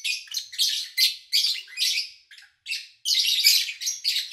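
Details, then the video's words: Pet lovebirds chirping, recorded in August 2019 with little engine noise nearby. Dense, grating high chirps pulse in quick succession, pause briefly near the middle, then resume in a louder scratchy burst. "Sounds of Lovebird Chirping"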